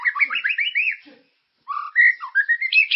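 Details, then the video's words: White-rumped shama song used to get caged birds singing: fast runs of rolling whistled notes, a short pause, then rising slurred whistles and high sweeping notes. "Suara pancingan burung murai ❗gacor dan berkarakter"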